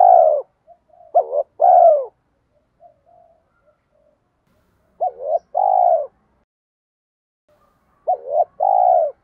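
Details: Spotted dove giving a bronze-toned driving coo with eye-catching phrases, used to lure wild spotted doves back quickly; three bursts of low mellow coos, each a short note followed by a longer drawn-out, slightly falling coo, separated by silence.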